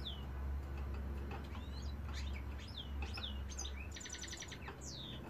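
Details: Male European goldfinch singing: rapid liquid twitters, downslurred whistles and short buzzy trills, with a steady low hum underneath.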